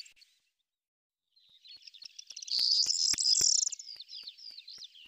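Corn bunting: a few ticking notes quicken into a high, dry, jangling rattle, like a bunch of keys shaken, lasting about three seconds.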